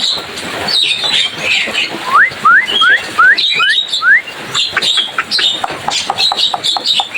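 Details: Javan myna song, its chirping making a lively din: scratchy chatter, then a run of six clear, rising whistled slurs about a third of a second apart, followed by sharp chips and more chatter.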